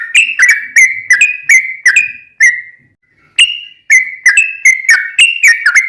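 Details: Sooty-headed bulbul song meant to draw other bulbuls into singing: a string of whistled notes with snappy starts, trailing into a long fading note, a second of silence, then another lively run.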